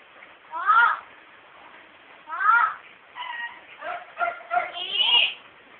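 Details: Female household myna copying everyday conversation heard at home: two loud rising harmonic phrases about two seconds apart, then a quick string of clipped syllable-like notes ending in a higher, thinner squeal.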